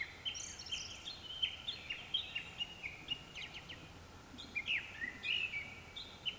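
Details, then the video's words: Japanese thrush singing at dusk, several birds calling: a series of clear whistled and fluting phrases around the mid-upper range, varied short notes with some higher chattering bits, over a steady low background hiss. "クロツグミの鳴き声 ［Japanese Thrush］"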